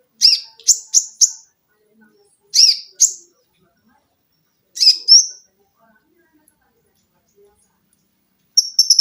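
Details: Olive-backed sunbird, caged, in a training recording of shrill notes and chatter: short bursts of three or four harsh, high chips separated by silent gaps of about two seconds, ending in a buzzy rattle.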